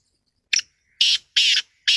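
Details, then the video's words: Black francolin (Francolinus francolinus) gives a harsh, grating call: a short scratchy note, then three longer rasping notes in quick succession; no other sounds. "Black Teetar voice | کالا تیتر کی آواز | Kala Teetar Ki Awaz"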